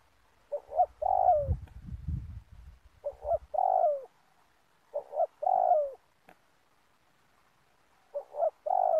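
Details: Spotted dove used to lure doves for trapping in a community oil palm plantation: three phrases, each two short notes then a long falling coo, with a low thumping noise after the first.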